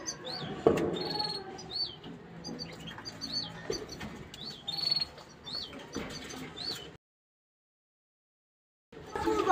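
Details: Caged bulbul singing to stimulate the female to mate: a run of high, hooked whistled notes with soft chirps and thumps, then a short silence before noise resumes.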